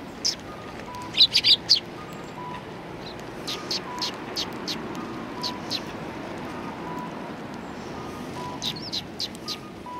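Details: Several Eurasian tree sparrows near a person interacting with them, recorded 28 December 2019: a quick burst of four loud sharp chirps, then scattered softer tweets, against a constant low hum and faint tonal background noise.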